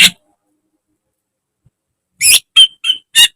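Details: Greater green leafbird song from a caged-bird training recording. After one sharp click comes a long silence, then four loud notes: a harsh rising burst followed by short whistled chips.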